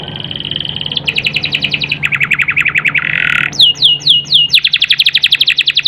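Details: A Belgian canary sings a long run of fast, high trills, shifting between long rolled tours and sweeping rising notes over a faint low hum; song used to stimulate canaries lacking excitement and breeding drive.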